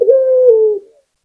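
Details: Local Barbary dove giving a single drawn-out coo that starts with a short rising note, holds steady and falls slightly over about a second, then stops; no other sounds.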